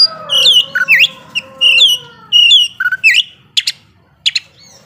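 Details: Energetic ngobra singing of an Oriental magpie-robin used to stir up rivals: rich downslurred whistles repeated in quick phrases, followed by short sharp buzzy chips with brief gaps.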